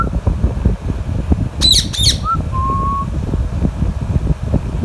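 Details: Alexandrine parakeet eating mango with a ringneck parrot: two harsh squawks close together, followed by a short rising whistle and a longer level whistled note, all over a low humming background.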